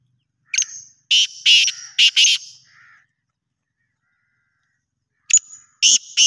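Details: Black francolin from Pakistan: a sharp high note followed by four harsh grating bursts and a soft trailing sound, then after a pause the phrase begins again.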